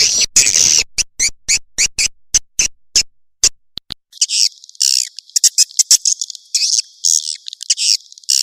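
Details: Swiftlet sound used as an attractant: a series of separate sharp clicks, a brief near-silent pause, then scattered high buzzy chirps.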